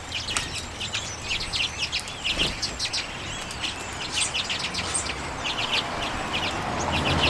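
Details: Common redpolls feeding on sunflower seeds in late January 2022, recorded on a Canon EOS M50: scattered short high chattering calls and twitters in bursts, with a steady background hiss.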